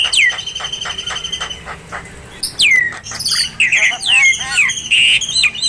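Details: White-rumped shama song for training other birds: a falling whistle and ticking notes, a pause, then a burst of swooping slurred whistles and chattering phrases.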